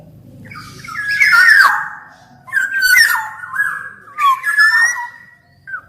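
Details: Black-naped oriole singing freely. Three rich whistled phrases, each a tangle of rising and falling slurs, arrive about every one and a half seconds, with a short note closing the recording.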